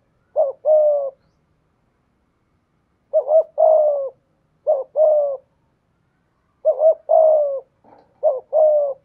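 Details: Decoy spotted dove with a 'giọng thổ' voice delivering five low, rich coo phrases at irregular intervals. Each pairs a short rising-falling note with a longer falling coo. A brief faint chirp occurs near the end, and the background is otherwise quiet.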